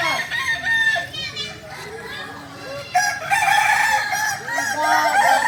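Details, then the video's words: Solok's native singing chicken, the Kukuak Balenggek, training for crowing performance: a chorus of overlapping, wavering harmonic crows, steady and loud throughout, growing denser after about three seconds. "Latihan prestasi Ayam kukuak balenggek ayam penyanyi asli Solok"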